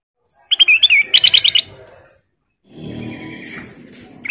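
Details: Female sooty-headed bulbul singing actively: a quick run of bright, clipped chirps and short whistled notes over about one second, followed by a low rumbling background noise.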